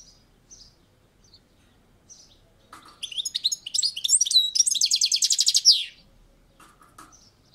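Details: European goldfinch on a balcony: a few faint high chirps, then a burst of tumbling twittered notes building into a rapid buzzy trill that ends on a falling slur, followed by soft chirps.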